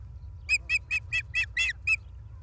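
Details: Osprey on a live camera at Charlo, Montana, 28 August 2023: a rapid run of seven piercing, slightly rough chirps within about one and a half seconds, even in pitch, with a low background hum.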